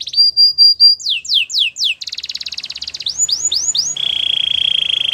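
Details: A Belgian canary sings its training song: clear loud upslurred whistles, a run of downslurred sweeps, a fast buzzy roll, arched notes, then a steady low rattling trill.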